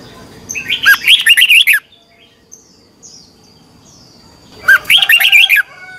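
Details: Red-whiskered bulbul competition song in the twisting-voice style, played to train birds in morning singing: two rich phrases of rapid, sliding warbled notes roughly three and a half seconds apart, with faint chirps between.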